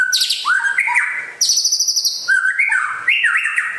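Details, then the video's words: White-rumped shama from West Aceh, Indonesia, called rare, singing a lively mix of very high thin notes and lower looping slurred whistles, with rapid pulsed passages between the phrases. "Kicau Burung Murai Asal Aceh Barat Langka Gacor Jos"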